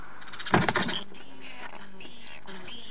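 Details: Common swifts divebombing a nest box under the eaves of a house at Van, Llanidloes, on Wednesday 6 June around 9 am; after a dull knock, long shrill high screams sweep past in overlapping bursts of about a second.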